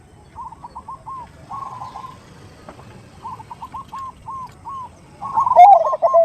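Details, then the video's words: Zebra dove (perkutut) lure call in the 'khung' style, said to be a female calling a male: soft groups of quick, bouncing notes with short pauses, then a louder rolling, hoarse phrase near the end. "Suara Khas Pancingan Suara Khung Suara Besar"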